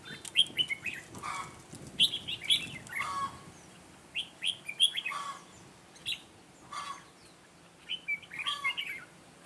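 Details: Decoy Red-whiskered bulbul, a Mũ lân bird from Ché, singing to lure wild bulbuls into a trap on 9 June 2017. Lively phrases of quick whistled, warbling notes repeat every second or two across the whole recording.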